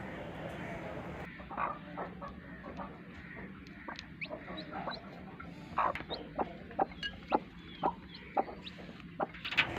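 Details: Broody hen sitting on eggs, giving short clucks at first and then a run of sharp, irregular clucks, about two a second, against steady low background hiss.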